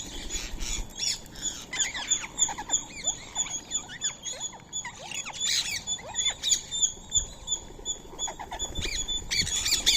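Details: Indian ringneck parakeets, fed soaked rice and corn meal alongside a squirrel at 6:30 am on 16 March 2025, chatter with quick harsh chirps and squawks, several a second, over a steady high-pitched background whine.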